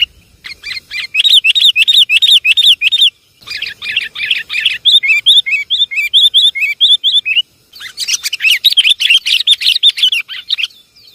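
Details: Lure call of the sooty-headed bulbul, a dense, almost nonstop run of rapid, bubbly chirps repeated about three times a second, broken by two brief pauses; lively and noisy throughout.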